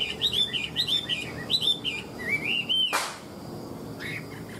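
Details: Tame Chinese hwamei kept in a cage, ngũ trường song: a quick series of bouncy looping whistles climbing into one long sweeping note, cut by a loud thump, then a brief softer phrase.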